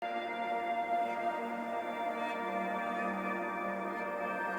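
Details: Soft ambient music with sustained, layered tones and a steady drone, with no animal calls heard.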